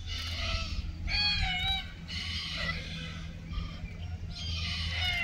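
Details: Wild red-tailed black cockatoos during mating time in Keep River National Park, June 2023. Several rasping, rolling calls rich in harmonics come one after another, with pauses, against a low steady hum.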